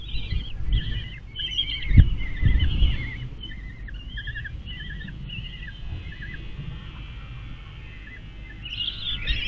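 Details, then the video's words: Young common kestrels at the nest being fed by their mother, 23 May 2022: repeated short high chattering notes in quick clusters, with low rustling and thumps from the nest. "Babys füttern ist anstrengend! Turmfalken am 23. Mai 2022"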